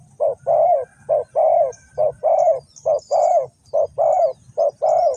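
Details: Spotted dove (cu gáy), a decoy bird used to lure wild doves into a trap, Ninh Thuận, Vietnam: loud, mellow low coos in short-long pairs, repeated steadily about once a second, with faint high chirps of other birds behind.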